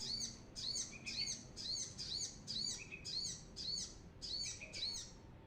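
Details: Brown-throated sunbird singing, used as a lure for training birds: high, sharp, slurred notes delivered in quick bursts about twice a second, each note bending down then up, over a faint low hum.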